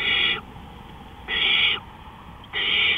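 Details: Owl at night, April 20, 2013, 3:15 AM: three loud, harsh, hissing screeches, each about half a second, repeated roughly every 1.2 seconds.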